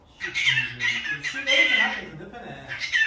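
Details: Pet cockatiel living at a mother's home, said to sound like a human voice: a run of rough, speech-like raspy squawks in several short bursts, ending with a brief harsh note.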